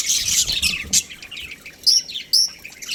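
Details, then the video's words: Budgerigars of a breeding pair chirping: a dense scratchy warble at first, then a few separate sharp, whistled upslurred squeaks with quiet gaps between them. "Amazing budgie chirping sounds | budgies breeding pair"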